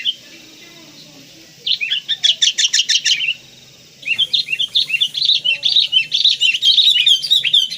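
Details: Kutilang kapas, a sooty-headed bulbul, in energetic full-fill tutor song: a rapid series of buzzy, evenly repeated notes, a short pause, then a long, fast chatter of bright chirps getting louder.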